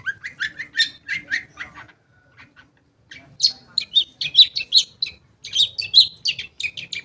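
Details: Lure recording of Long-tailed shrike song meant to set silent shrikes singing: a few rising chirped phrases, then a brief near-silent pause, followed by a lively string of sharp, varied high notes.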